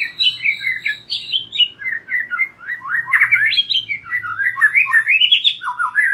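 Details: Continuous White-rumped shama song, played as a lure so young and wild-caught shamas start singing freely: rich, rapidly changing whistles and warbles swooping up and down without a break, loud and clear throughout.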